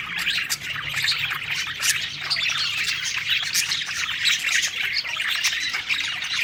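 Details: Budgerigars, several parakeets, singing happily while eating; a dense, continuous mix of chirps, warbles and squawks, busy throughout with no pauses.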